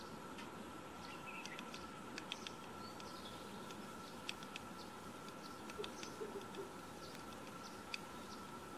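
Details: Woodpecker pecking in Himachal Pradesh, India: faint, sharp, irregular taps scattered through the recording over a steady background hiss and low hum.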